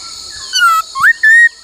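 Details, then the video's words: Laughingthrush in song training, singing the "bắt cô trói cột" style: a few clear whistled notes, one rising sharply, then a long level whistle, over a steady high droning hum. "Luyện khướu hót bắt cô trói cột , luyện hót nhiều giọng cực hay"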